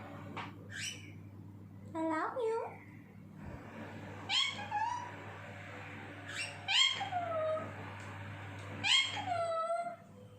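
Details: Talking parrot with harsh, strongly harmonic squawks that sweep downward, in four spaced bursts about two seconds apart over a low background hum; a person speaks affectionately nearby.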